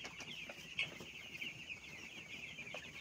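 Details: Many small broiler chicks being reared, giving a steady wash of shrill overlapping cheeps, one sharp louder peep standing out early, with soft scratchy background noise underneath.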